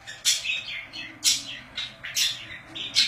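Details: Budgies at home give loud, grating chirps about once a second, each a scratchy squawk trailing into a softer warble between the calls.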